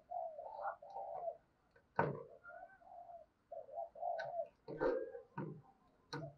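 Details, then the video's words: Decoy spotted dove cooing to attract wild birds: a series of soft, low, breathy coo phrases, some paired, broken by several sharp knocking clicks. "Tiếng Chim Cu Mồi Thúc Và Gáy Gọi Bổi, Mở Lên Bổi Gáy Theo Và Nhanh Nổi"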